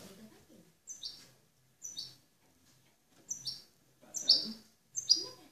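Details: European goldfinch (jilguero) called a king of clean singing ('cante limpio'), an exemplary master bird without faults: short high chirped notes repeated roughly once a second, with faint low murmuring beneath.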